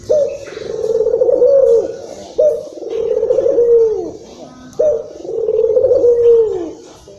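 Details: Indonesian local Barbary dove cooing excitedly, meant to stimulate other doves: three low, purring phrases of about two seconds, each ending in a falling slur, repeated at an even pace.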